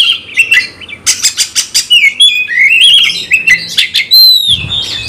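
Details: Oriental magpie-robin song used to rouse rivals to fight: sharp clicking bursts followed by sweet rising and falling whistles, ending on a high thin whistle.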